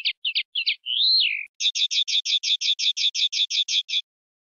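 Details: Common linnet singing in the campero manner, meant for educating young linnets: a few choppy twitters, a long descending slurred whistle, then a fast, even rattle of about sixteen identical notes.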